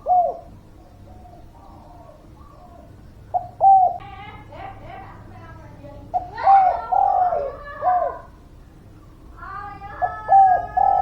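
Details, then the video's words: Spotted dove song used as a lure for birds that will not sing. Repeated hollow coo phrases are overlapped by lively, busier chirping and chattering from other birds. "Suara Pancingan Derkuku Gacor, Burung Malas Bunyi"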